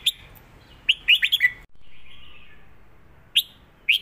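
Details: Red-whiskered bulbul in 'mae bot' southern song style: a quick run of four sweet warbled notes, a pause, then two single bright chirps.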